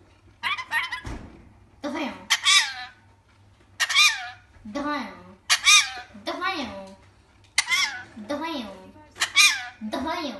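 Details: Pet rainbow lorikeet named Rio talks in short, speech-like bursts with a nasal, slightly squawky voice, repeating similar words like 'beide' roughly once a second over a faint low hum.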